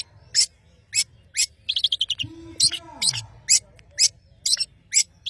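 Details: Madura long-tailed shrike in full vigorous song: sharp harsh high bursts repeated roughly every half second, broken midway by a rapid chattering trill series, and a soft low gliding tone in the background.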